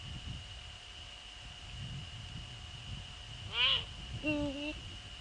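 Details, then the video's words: Eurasian eagle-owls in the Netherlands before dawn, 15 February 2013, male visiting female near the nest: a high arched squealing note followed by a short deep hoot, with low rumbling noise and a constant tone behind. "eagle owls NL 2013-02-15 04:40 male visit-female near"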